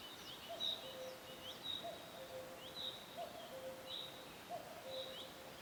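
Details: Cuckoo calling in a forest, repeating a soft falling two-note phrase roughly once a second. Busy high-pitched chirps and trills from other birds sound throughout over a steady hiss.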